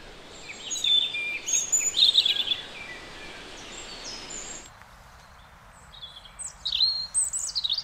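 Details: Netherlands recording of a European robin: bright, high twittering phrases with quick rising and falling whistles, a brief abrupt break, then more thin sliding notes.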